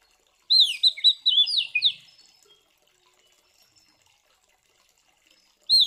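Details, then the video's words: Oriental magpie-robin fighting song for provoking other magpie-robins: one loud burst of ringing, downslurred whistles lasting about one and a half seconds, then near silence before a new phrase begins. "Suara Burung KACER GACOR Ngeplong TARUNG Konslet ini Paling Ampuh Buat Pancingan Kacer Biar Emosi"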